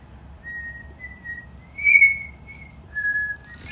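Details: A pet cockatiel indoors, carefully learning a song one note at a time: slow, steady whistled notes held level, one sharper bright note in the middle, ending with a brief rough squawk.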